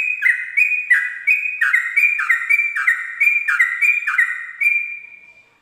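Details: Dawn ropel song of a Sooty-headed bulbul, meant for tutoring birds learning this style: an even, fast series of ringing whistles alternating between two pitches, ending in a lingering fade.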